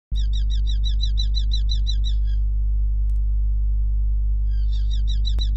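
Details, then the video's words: Hobby in Hungary on 5 July 2016, calling loudly at the nest before settling back on its eggs: a fast run of about a dozen high, ringing notes, a pause, then the series resumes, over a constant loud low hum. "Falcon Hungary Hobbie 2016 07 05 loud calling"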